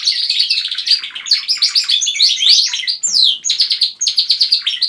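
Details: Group of domestic canaries in a home chorus, led by one male: fast rolling trills and chattering tweets overlap with sharp downward whistled slides, a brief pause after three seconds, then steady rapid repeated notes.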